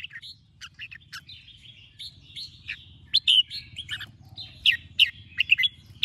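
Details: Red-whiskered bulbul morning song, used to train and excite caged birds to sing: bright warbled and chirped notes in short bursts, several loud emphatic phrases late on, over a steady low hum.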